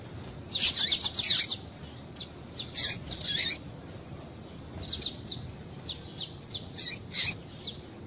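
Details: Excitement calls of a female double-collared seedeater aimed at males. A fast cluster of high twittering chirps opens, followed by scattered single and paired sharp notes over a low hiss.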